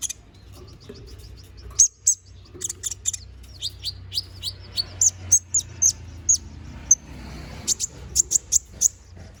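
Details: Full-variation song of an energetic Konin bird, meant for tutoring magpie-robins: a rapid string of piercing high chirps, at first soft and dense, then louder separate sharp notes about two to three per second.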